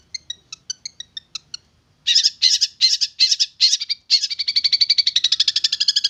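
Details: Long-tailed shrike, young and tamed over about three months, starts with soft spaced ticks, then loud rasping bursts, then a rapid rattling trill of short buzzy notes.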